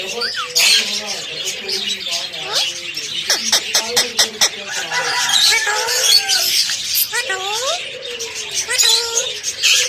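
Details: A pet talking parrot utters a run of harmonic, voice-like sliding phrases, with a burst of sharp clicks mid-way and constant high chirping chatter in the background.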